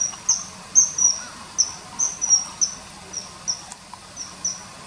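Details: Sharp, high whistled notes of a common kingfisher, dubbed over early September 2020 river footage, repeat every half second or so, some doubled, over light background hiss.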